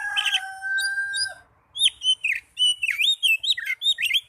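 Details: Young oriental magpie-robin as a therapy recording: opens with steady, level, pure tones, then after a pause a rapid run of high whistled notes that slur up and down, delivered in quick bursts.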